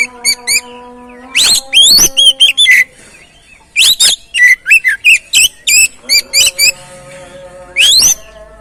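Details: Oriental magpie-robin song played as a lure to get a stalled, stressed bird singing again: bright whistled notes and quick downslurred chirps in clustered bursts, with gaps between, over a faint steady hum.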